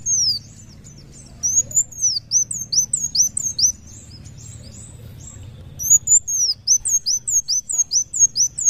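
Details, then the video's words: Kolibri wulung sunbird in vigorous muncang daun song: bursts of rapid, very high, thin, downslurred whistles, a quiet stretch of several seconds, then a long fast run of repeated arcing notes. "kolibri wulung muncang daun gacor"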